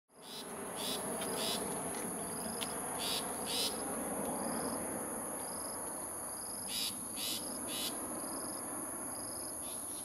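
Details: Long-tailed Shrike, an uncommon resident in Singapore, giving its rough, gruff call: a run of harsh, broadband rasping bursts at uneven intervals over a steady high insect drone and dense background hiss.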